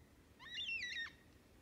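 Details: A single loud, wavering wail from a black cockatoo. It rises briefly, then slurs down over about half a second. Recorded at Lake Clifton, WA, in April 2022 among a flock feeding on parrot bush seeds.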